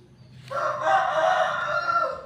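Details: Chicken crowing in a backyard in the morning: one sustained, strained harmonic crow that starts abruptly and holds steady for nearly two seconds, loud against a quiet background.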